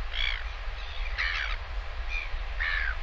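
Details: A Northern Royal Albatross chick begs with harsh, nasal, squeaky calls, about four short bursts in three seconds, as a parent returns to feed it lunch, over a steady low rumble of wind.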